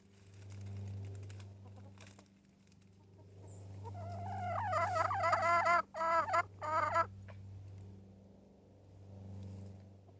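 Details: Yard hen in a little tunnel lets out a three-second burst of quick, wavering, nasal clucks and trills over a steady low mechanical hum.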